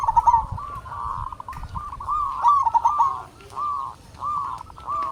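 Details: Zebra doves of a local strain, used to coax reluctant doves to sing, give loud rolling coo phrases with hooked notes. The phrases break off and resume in short bursts.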